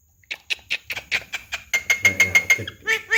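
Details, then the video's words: Javan pied starling, described as chatty and able to talk, giving a fast series of harsh repeated notes, about three per second, ending in ringing tonal chirps. "BURUNG JALAK KEBO CALON JUWARA || CERWET DAN BISA NGOMONG"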